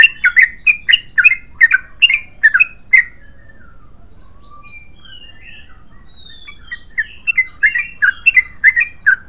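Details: Yellow-vented bulbul delivering a long, continuous chattering song: quick bubbly notes repeated about twice a second for three seconds, a quieter stretch with scattered thin whistles, then the rapid chatter resumes to the end.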